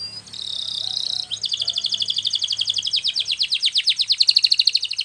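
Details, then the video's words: Canary in Spanish Timbrado style singing for training: a short buzzy trill, then a long, fast, evenly pulsed roll of high notes growing louder, with a faint low hum beneath. "Canary singing Training Video"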